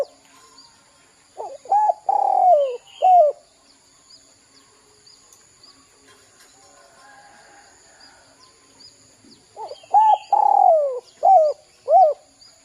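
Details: Lure recording of a spotted dove for prompting young birds to call: two bursts of soft, hooting coos, a quick cluster with one longer sliding note, separated by a quiet gap of several seconds, faint high electronic whine throughout.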